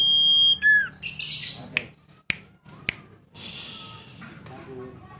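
A Common Iora gives a long, clear whistle that drops sharply in pitch, then bursts of harsh, chattery notes and a few sharp clicks.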